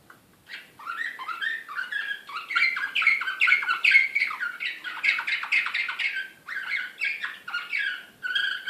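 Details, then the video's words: Canary in Belgrade, 2016, delivering Serbian nightingale-type slavujar song: a long, unbroken stream of fast warbles, rattling rolls and sweeping notes that swells in loudness mid-phrase, followed by a few separate chirped bursts. "SLAVUJAR SRPSKI BEOGRAD 2016 DEXX كناري هائج"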